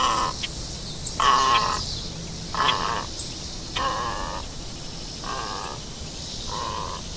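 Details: Great egret repeating a hoarse, grating croak six times in about seven seconds, the notes fading slightly in loudness, over constant background noise.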